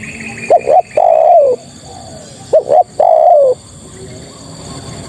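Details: A female spotted dove calling to males utters two phrases, each two short rising notes and a lengthy coo falling at its close, followed by quiet hiss for the last second and a half.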